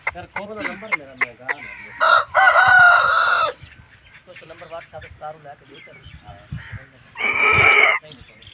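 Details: An Aseel rooster gives a quick run of sharp clucks and clicks, then two loud, hoarse, drawn-out crows about five seconds apart.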